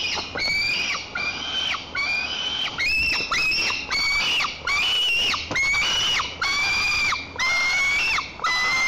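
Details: White-tailed eaglet in a nest in Tatarstan's Lower Kama National Park, July 2023, jumping and flapping its wings while defending the nest from its mother. Loud, shrill shrieks roughly once a second, each rising, then dropping at the end.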